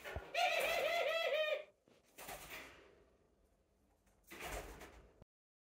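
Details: Indoor pet doves: one rolling, pulsing coo of quick repeated notes lasting over a second, then two bursts of broadband rustling or flapping noise.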